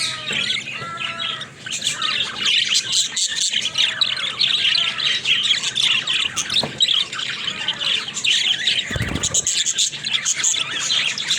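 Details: Busy budgerigar warbling with squeaky, clicking chirps and scratchy notes tumbling over each other continuously, including a brief louder burst near the end.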